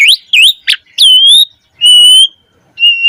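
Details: Black-collared starling song used as a training model for other starlings: a few sharp rising whistles followed by long, level, pure whistled notes with short pauses between them.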